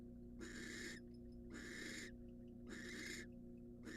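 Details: Wild barn owl in a monitored nest box, incubating after eating a mouse, gives harsh, breathy hissing screeches, four in four seconds, each about half a second long and spaced roughly a second apart, over a steady low hum.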